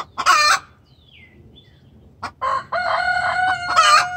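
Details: Hen giving a distress call to the rooster: two loud, harmonic, squawking bursts near the start and end, with a long sustained nasal wail between, and faint descending chirps in a quiet gap.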